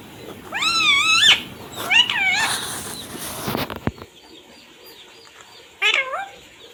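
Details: Pet ringneck parrot talking, said to be saying "mummy papa": three short bursts of nasal, wavering voice-like phrases near the start, around two seconds and near six seconds, with a brief clatter between and quiet room background.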